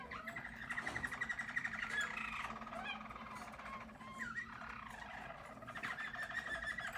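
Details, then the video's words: Yellow Harz German Roller canary singing in 2022: a soft, continuous rolling trill of rapid pulsed notes at mid pitch, with occasional sliding whistled tones, over a steady low background hum. "Harz German Roller Canary singing"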